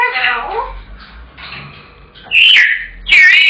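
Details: African grey kept as a pet, shouting after its owner's return until given its tea: low, voice-like gurgling calls, then two loud piercing wavering shrieks close together.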